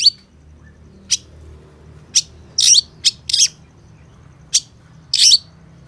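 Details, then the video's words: Long-tailed shrike (cendet, pentet) singing in full gacor style: sparse, harsh, high scratchy bursts and short buzzy notes, seven of them spaced irregularly about one second apart, with a faint low hum underneath. "Suara Cendet Pentet Gacor DOR"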